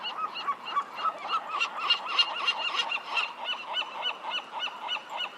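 Western Gulls calling in a rapid series of loud, nasal, laughing yelps, several birds together.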